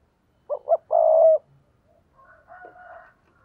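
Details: Spotted dove cooing to lure wild doves: two short clipped notes followed by a longer, loud, even coo, then softer, fainter cooing notes trailing off afterward.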